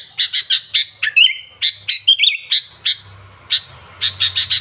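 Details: Sooty-headed bulbul trocok-style song: short harsh chips mixed with a couple of clear whistled slurs, then a pause and more quick chattering notes, with a low hum in the background.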